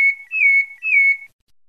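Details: Pale-breasted thrush from Bahia, Brazil, giving two matching clear whistled notes, each slightly rising and then held level, followed by silence.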